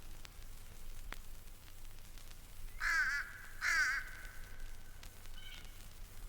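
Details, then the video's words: Adult fish crow at Mountain Lake Sanctuary, Lake Wales, Florida, a call sometimes confused with a young common crow's cry: two short nasal caws about a second apart, the second trailing into a thin drawn-out note; faint hiss. "Some people confuse this call with the cry of a young common crow, but he's the adult fish crow."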